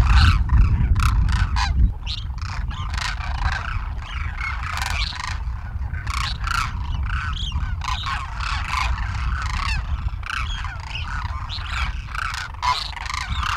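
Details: Demoiselle crane flock wintering at Khichan village, Rajasthan, India, feeding from the ground: a busy chorus of rolling, trumpeting calls from many birds, opening with a brief loud low thump.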